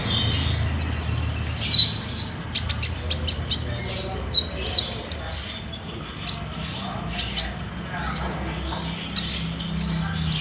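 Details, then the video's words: Olive-backed sunbird song meant as a lure for caged birds, filmed on a Samsung J5 phone: clear, high-pitched chirps and squeaky tweets in quick clusters with brief gaps, a faint low hum underneath. "PAKAI PANCINGAN KOLIBRI NINJA GACOR INI PASTI BUNYI"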